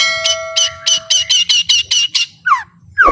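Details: White-rumped shama singing at full power: a series of buzzy, rasping notes repeated about three times a second, then downward-slurred whistles, with a steady faint tone and low hum behind.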